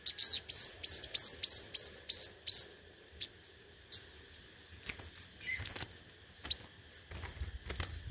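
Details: Five-coloured sunbird singing competitively as a lure: a quick series of about nine high, upslurred chirps, then sparse clicks and faint scattered notes.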